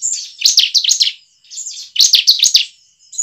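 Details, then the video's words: Bar-winged prinia singing for use as a lure for caged birds: two loud rasping chirp bursts about 1.5 seconds apart, each several rapid buzzy notes, with a faint constant whine underneath. "pancingan ciblek"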